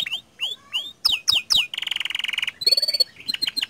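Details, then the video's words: Canary gacor song for prompting other canaries to sing: spaced swooping chirps, a dense buzzy rattle, a steady high whistle over a rising lower note, then quick clipped notes. "Pancingan Efektif Banyak Kenari Ikut Gacor Dengan Suara Kicauan Kenari Gacor Ini"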